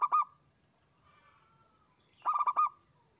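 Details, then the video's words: Local zebra dove singing for use as a lure: the tail of one cooing phrase, a pause, then a full run of five rapid, mellow notes, with a brief thin whistle and constant high whine behind. "Perkutut Lokal Gacor‼️Cocok Buat Pikat"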